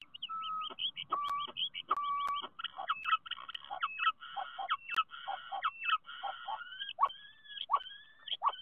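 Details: Common starling singing at a nest box in Théding, France, on 10 March 2023: a varied medley of clear whistles, rising and falling tones, clicks and rattling notes run together with little pause.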